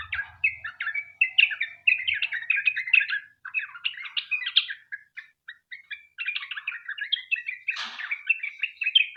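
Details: A long rapid 'ropel' song from a sooty-headed bulbul, played to coax other bulbuls into singing: busy, bubbling strings of quick chirps and warbles, briefly pausing, then resuming with a short harsh burst near the end.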